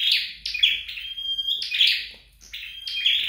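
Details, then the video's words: Flowerpecker during training at home: quick high chirp bursts alternating with a long steady whistled tone, about four phrases in quick succession. "Dợt Sâu Đầu Đỏ Tại Nhà"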